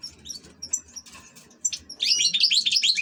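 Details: Soft scattered high notes give way to a loud, fast, tinkling twitter of European goldfinch song, the bird kept as an ornamental pet, over faint low hum.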